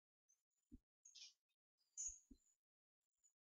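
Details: Two hawfinch chicks, twelve days old, hand-reared after a foster hen abandoned them, call while being hand-fed on 4 May 2014: a few thin, very high squeaky notes between low handling thumps.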